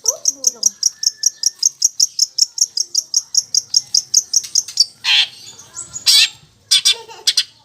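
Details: Long-tailed shrike, kept bird, singing a song filled with mimicry of fighting sparrows joined to lovebird sounds: a fast, steady run of high, sharp chirps, about one a second or quicker, then harsh, rasping bursts and scattered twitters.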